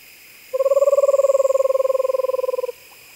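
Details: A North American owl holding a long, rapid, monotone trill of about two seconds, tightly pulsed and level in pitch, then stopping abruptly.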